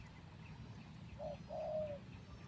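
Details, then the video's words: Captive spotted dove used as a decoy for luring wild doves, out of its breeding cage for only three days and not yet fully fit; a short soft coo, then a longer, hollow, low coo over steady low background rumble. "ต่อนกเขาใหญ่ เชลยเสียงดีครับ"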